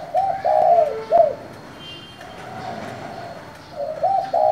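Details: Spotted dove giving 'thổ'-style calls to spur other doves to answer. Low mellow coos sound at the start with a brief lower note. A fainter drawn coo sounds mid-clip, then another stuttered coo phrase comes at the end.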